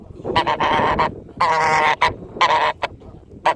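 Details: Domestic goose honking in loud, nasal, harmonic blasts, several drawn-out honks nearly half a second long broken by shorter clipped ones, repeated roughly once a second.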